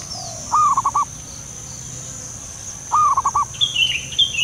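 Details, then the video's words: Soft call of a wild local zebra dove: two bursts of rapid, stuttering coo notes about two and a half seconds apart, with another small bird chirping high and sharp at the end over faint hiss. "panggilan perkutut lokal alam liar suara lembut"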